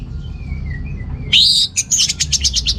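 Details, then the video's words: Orange-headed thrush song for encouraging males lacking breeding drive: soft descending whistles, then a loud, harsh, buzzy burst followed by a rapid pulsed series of high chattering notes. "ANIS MERAH Gacor Untuk Pancingan AM Jantan yang Kurang Birahi"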